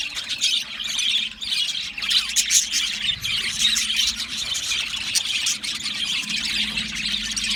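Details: Budgies singing in a long, unbroken high warble of squeaks, chirps and rasping notes, with a faint low hum underneath.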